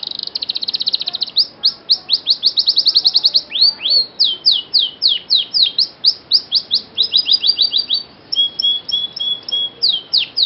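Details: Canary singing, played as a lure for canaries that will not sing: long runs of fast high trilled notes, then slower downward-sweeping phrases, and near the end a series of steady whistled tones.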